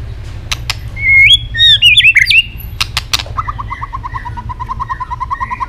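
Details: White-rumped shama snapping its tail and singing a fighting song: a loud, twisting warble of fluting whistles, a few sharp clicks, then a soft fast run of repeated low notes.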